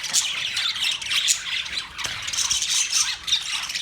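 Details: Budgerigars on November 19, 2023 keep up a busy, high chatter of overlapping chirps, squeaks and scratchy warbles with hardly a pause.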